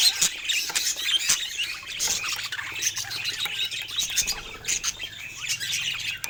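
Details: A group of pet budgerigars during play: busy high-pitched warbling and chirps, with occasional sharp clicks and a faint low hum beneath.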